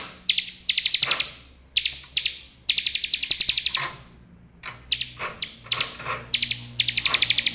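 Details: Bar-winged prinia song used as a singing aid for birds that have gone quiet. It comes in rapid, harsh, buzzing trills split into clustered bursts with brief gaps between them, over a faint low background hum.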